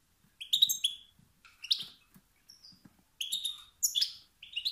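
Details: Male European goldfinch giving stimulating calls meant to provoke rival males into singing and asserting dominance; bright tinkling, slightly rising notes in short bursts separated by pauses, with rich overtones.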